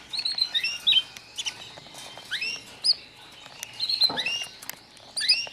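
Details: Newly arrived white foreign canary chicks chattering with overlapping high chirps and short downslurred whistles in irregular clusters, separated by brief pauses and light rustling.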